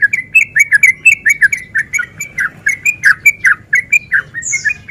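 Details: Breeding-condition male sooty-headed bulbul singing a lure song meant to provoke other males to fight; loud, continuous run of bubbly, liquid notes delivered rapidly, about one and a half per second, ending with a high thin squeak.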